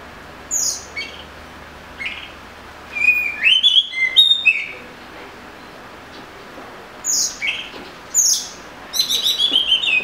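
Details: Oriental magpie-robin singing in bursts: high sweeping whistles and buzzy notes separated by pauses, ending in a rapid run of repeated chirps; quiet background.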